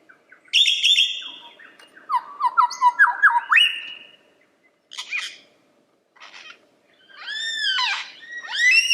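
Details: Lyrebird singing a varied medley: a sustained high whistle, a fast stepped series of rising notes, scattered scratchy chips after brief silences, then ringing arched whistles repeated in quick succession.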